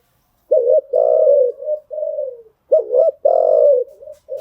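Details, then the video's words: Spotted dove cooing, recorded as a lure to train newly caught birds: low, rounded coos in two phrases, each opening with short pulsed notes and then a long, steady coo that fades downward. The background is quiet. "tiếng chim gáy dùng tập chim bổi mới hiệu quả"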